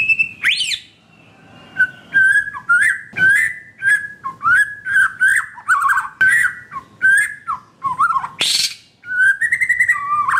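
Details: Melodious white-rumped shama song used to encourage a quiet caged shama: a rising opening flourish, then a steady chain of short fluty whistles in rhythmic succession, one harsh rasp near the end.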